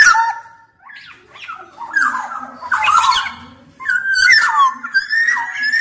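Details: Black-naped oriole singing a varied run of whistled slurs and scratchy, harsh notes, starting hesitantly and building into longer flowing fluty phrases toward the end.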